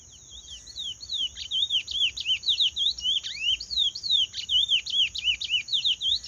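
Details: Chestnut-bellied seed finch singing the Paraense song style: a fast, continuous run of clear slurred whistles, each swooping down then up, repeated in rhythmic phrases, over a steady high-pitched whine in the background.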